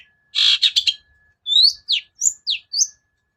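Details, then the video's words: Cendet lure song, used to provoke a shrike that is slow to sing: a harsh buzzy chatter of four notes, then five clear whistled slurs, some rising and some falling. "SUARA PIKAT CENDET SUSAH BUNYI"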